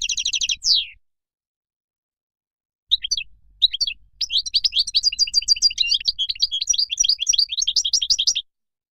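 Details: Brief buzzy phrase and a falling note, a pause, then the Moroccan goldfinch resumes with a rapid run of high twittering notes that grows into a steady, tinkling chatter.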